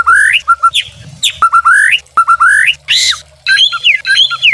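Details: Murai batu (white-rumped shama) lure and tutor song: clear rising whistles with short low notes between them, a harsh burst, then quick twittering phrases, with brief silent gaps.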